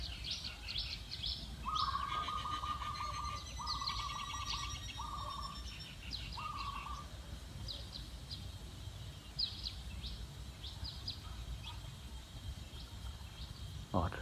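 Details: Zebra dove decoy luring wild doves outdoors, crowing in an unusual wow-kok-kok style. Four rolling, trilled coos run in quick succession early on, while other small birds chirp high and sharp throughout over steady background noise.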